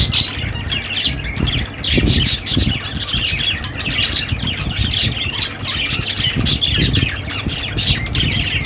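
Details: Budgies squawk and warble nonstop, with sharp bursts of raspy calls rising out of the constant high twittering at irregular intervals.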